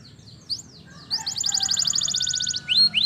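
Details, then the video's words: Canary in the wild giving soft slurred notes, then a short rapid high trill and two rising whistles near the end, with faint background noise. "Canary Singing In The Wild"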